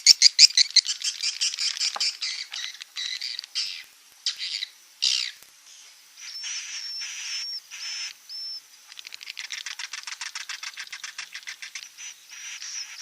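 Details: Edible-nest swiftlet sounds meant to attract the birds to nest: fast, rattling chirps that start loud and fade, a few buzzy bursts, high whistled notes, then another long run of quick clicking twitters.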